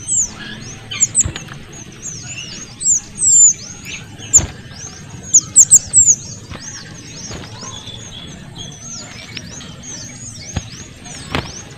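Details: Small minivet, noisy male and female calling used to train oriental magpie-robins: rapid run of very high, thin swept whistles, with louder shrill notes in bursts and a few sharp clicks.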